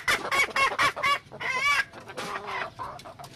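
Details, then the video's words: Junglefowl hen with several loud, nasal clucks followed by a longer wavering cackle and softer trailing notes. "suab poj qaib qus seev zoo"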